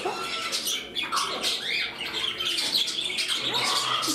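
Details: Indoor pet budgerigars, several together, calling with sharp squawks and rising chirps among a steady high twittering while a person speaks nearby.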